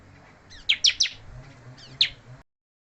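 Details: Bar-winged prinia, still singing hard despite having lost its tail feathers, gives three quick sharp high chipping notes, a short pause, then one more slurred chip, over soft background hum.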